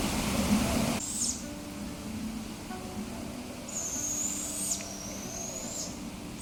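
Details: Young Barred Owls hiss loudly as a parent arrives with food. Two high hisses, one short and a second about a second long, rise over a low background hum.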